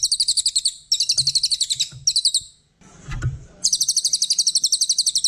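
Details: Brown cililin, a master bird for songbird fans, pours out fast, high, rattling note series, broken by a short noisy gap before the chatter resumes.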